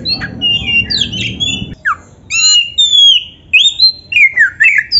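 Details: Oriental magpie-robin 'gacor' song for training caged birds: a rapid series of varied whistles, rising and falling slurs, and brief chattered notes, with a low hum during the first two seconds.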